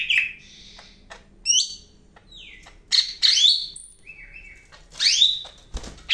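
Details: Cak ijo Medan, a greater green leafbird, in energetic song with varied phrases: short high whistles, downward-sliding notes and chattering bursts, separated by brief pauses, with a faint low hum behind.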